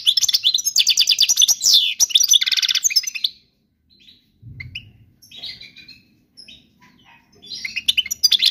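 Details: European goldfinch song, described as error-free and used to teach young birds. About three seconds of fast, dense, twittering high notes, then a pause with a low thump and scattered faint chirps, and the twittering resumes at the end.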